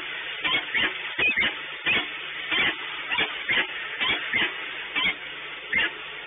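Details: At Orlen in Płock, a peregrine falcon gives a series of loud, rasping call bursts, roughly one every two-thirds of a second and irregularly spaced, against a constant low background drone.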